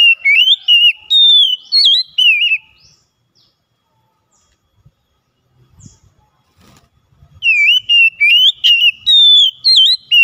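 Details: Oriental magpie-robin (kacer) singing, used as a daily lure to make a reluctant bird sing; loud whistled phrases with rising and falling notes, several quick bursts, a quiet pause with faint knocks, then the singing resumes.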